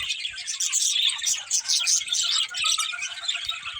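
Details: Pet budgies in a busy burst of high chirps and warbled twitters that run together into a constant chatter.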